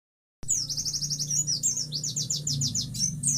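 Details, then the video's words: White-eye singing as a prize-level master recording: fast, high chirping notes in quick repeated rows, about four per second, twittering without pause over a low steady hum. "MASTERAN PLECI PRESTASI NIH BOS"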